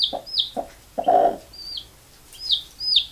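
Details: Mother hen calling her baby chicks to sleep: low, short clucks given in bursts, mixed with high, thin peeping from the chicks between and over them.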